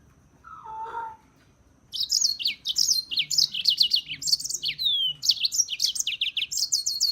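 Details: European serin song: after a brief lower nasal note, a long, fast, unbroken stream of high, sizzling, jangling notes that tumble and twist without pause for about five seconds.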